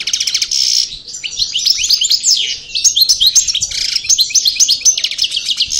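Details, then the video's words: Goldfinch of the parva race from El Bordj, out of moult: opens with a fast metallic rattle, then rushes into a dense, high twittering song of chirps and swept notes, roughly four a second, with a short dip midway. "Chardonneret Parva Cravaty D'el Bordj Sortie De Mue Repassage"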